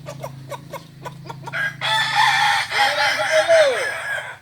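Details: Kokok Balenggek roosters at joint training in Ampang Kualo, Kota Solok; quick rhythmic taps open, then crowing swells into long stepped, looping notes from several birds.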